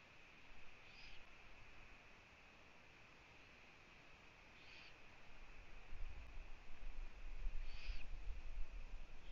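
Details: Eurasian eagle-owls at a nest in Latvia, filmed by a live camera on 1 June 2017 at 15:01 as the female visits her owlets. Three short, raspy hissing bursts come roughly every three seconds over steady background noise.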